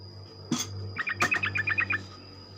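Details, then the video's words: Sooty-headed bulbul morning song meant to stimulate other bulbuls: a quick series of about ten bright, evenly spaced notes, partly masked by a loud low hum, a steady high tone and two sharp clicks. "ocehan trucuk pagi hari, merangsang trucuk lain ikut bunyi ropel"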